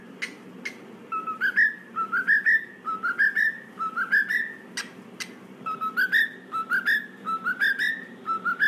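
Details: Indoor cockatiel reacting to cockatiel singing sounds, answering with a repeated rising whistled phrase roughly once a second over a steady background hum, with occasional sharp clicks.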